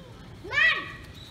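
One loud, nasal peafowl wail, sweeping up sharply then sliding down, lasting under half a second against a quiet background.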